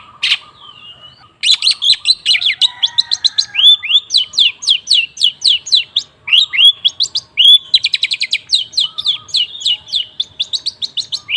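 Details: Long-tailed shrike singing, recorded as a lure to stimulate a shrike that has stopped singing. After one loud note and a pause comes a long run of rapid, rising slurred whistles and sharp ticks, steady and fast.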